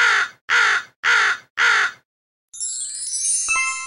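Four harsh, hoarse caws from a crow, evenly spaced about every half second, followed by a bright musical jingle.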